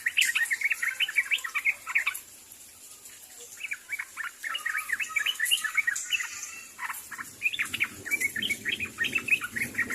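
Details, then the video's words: Sooty-headed bulbul calling to companions with dense, energetic bursts of bubbly chirps and short rising-falling notes, broken by a brief pause, over light rustling. "SUARA BURUNG TRUCUK MEMANGGIL KAWAN"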